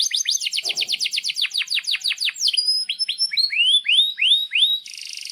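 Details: Canary singing a rolling tutor song for young canaries: rapid repeated downward-sweeping notes, then a run of rising whistled phrases, ending on a brief buzzy trill.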